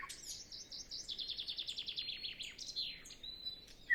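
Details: Solo nightingale singing early morning before sunrise, no wind: a rapid series of repeated descending slurred notes, followed by a sharp whistle and a short high flourish. Recorded using Zoom F6 and Sennheiser MKH 8040.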